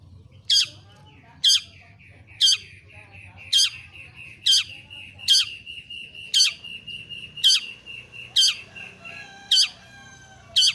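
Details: Long-tailed shrike (pentet, cendet) used as a lure to make other shrikes sing: sharp high downslurred notes about once a second over a steady thin whistled tone, with faint low hum.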